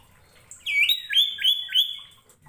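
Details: Common iora singing, meant to draw reluctant ioras into song: four loud whistled phrases, each a quick upswept note leading into a level high tone, coming in rapid succession.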